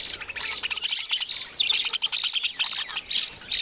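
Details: Young budgerigars giving quick, high, buzzy chirps in short clustered bursts separated by tiny gaps, with a few clearer squeaky notes mixed into the scratchy chatter.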